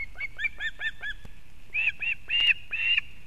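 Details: Osprey at a Kurzeme, Latvia nest on 31 August 2024 as the female brings fish for the chick: five quick clipped chirps, then four longer, louder, slurred whistling cries.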